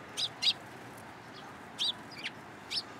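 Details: Feeding sparrows perching on a hand at a Tenmangu shrine, 13 April 2023: clear high chirps in a loose series, one close pair at the start and then single notes spaced irregularly.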